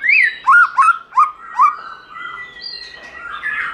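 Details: Forest-style song, giọng rừng, of a white-rumped shama: four quick upward-curving whistled notes in a row, then a softer, wavering warble with a thin high tone.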